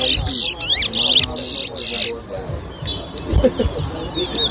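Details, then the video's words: Chestnut-bellied seed finch (towa towa) at a 2023 Rosehall, Guyana whistling competition: loud buzzy trills and harsh chattering bursts for two seconds, then faint high notes while people talk nearby. "TOWA TOWA BIRD WHISTLING COMPETITION"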